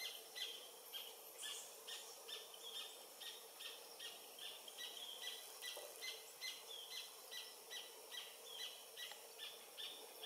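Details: Galbula dea dea, an adult of undetermined sex, sings near the Oyak river in French Guiana on 8 November 2023 at 11:00: a long run of thin, high, repeated notes at a quick, slightly uneven pace over steady ambient noise.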